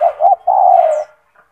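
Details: A pet spotted dove, kept for its big, loud voice, sings two short, low hooting coos followed by one long, drawn-out coo, all at a mellow, even pitch, with nothing else heard.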